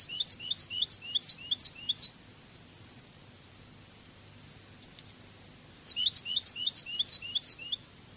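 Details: Goldfinch (European) in the Cádiz song style of Spain: two phrases of about eight evenly spaced, high, swooping paired notes, almost four seconds apart, with quiet hiss between them.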